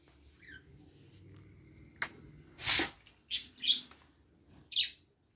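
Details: A newly hatched budgerigar chick, just out of the nest box, gives a few thin, high chirps separated by soft rustling.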